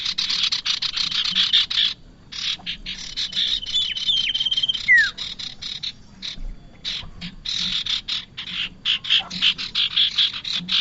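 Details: Bar-winged prinia calls played as a lure for trapping birds: rapid runs of harsh, buzzy chattering notes repeated in bursts with brief pauses, plus one thin whistled note falling away near the middle.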